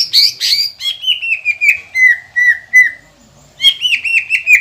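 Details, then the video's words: Green leafbird calling to provoke idle or reluctant green leafbirds into singing: harsh scratchy notes, then a series of downslurred whistles at a steady pace, a short pause, and more rapid whistled chirps. "PANCINGAN CUCAK IJO GACOR INI MAMPU BIKIN EMOSI LAWAN CUMA HITUNGAN DETIK."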